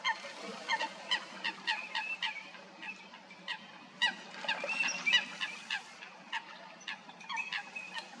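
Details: Eurasian coots in a fight at Stodmarsh, Kent, UK, producing rapid, clustered honking calls from several birds, with bursts of overlapping notes and brief lulls across eight seconds.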